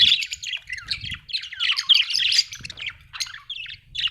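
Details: Happy budgie warbling in a continuous stream of twittering, scratchy chirps and squeaks that rise and fall, tapering off into a few separate notes.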